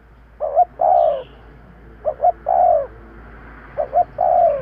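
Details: Lure call of a spotted dove: three evenly spaced phrases, each two quick clipped notes then a drawn-out falling coo, repeating about every one and a half seconds against a quiet background.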